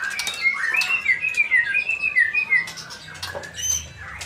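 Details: Male white-rumped shama in Indonesia giving a series of slurred, rising and falling whistles, followed by softer scratchy notes and a few high pips.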